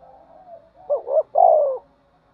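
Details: After a faint hum, one spotted dove phrase from a fighting and calling bout: two quick rolling notes, then a loud, sustained, downslurred coo.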